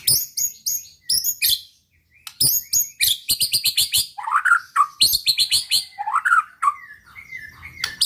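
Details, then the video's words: Provoking song of a white-rumped shama aimed at rival birds: rapid high chattering and sharp chips alternate with rich lower whistled notes, delivered in dense varied phrases with a brief pause after the opening. "pancingan muraibatu gacor bikin murai lawan dengar AUTO EMOSI TINGGI |pancingan murai |shama bird"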